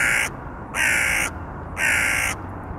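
A crow gives three harsh, raspy caws, each about half a second long, spaced roughly a second apart over faint background hiss.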